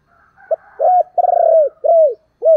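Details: Spotted dove used as a decoy, calling to attract wild doves: short clipped note, a smooth coo, a long pulsing rolled coo that drops at the end, another arched coo, then a fresh phrase beginning.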